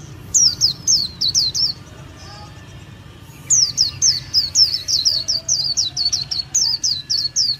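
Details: Two phrases of Japanese white-eye song separated by a short pause, each a rapid series of bright, high, down-slurred whistles repeated about twice a second.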